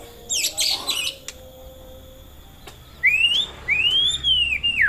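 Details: White-rumped shama song: a burst of high scratchy notes, a quiet pause with a steady tone, then loud clear whistled phrases that rise and arch over, each lasting about half a second.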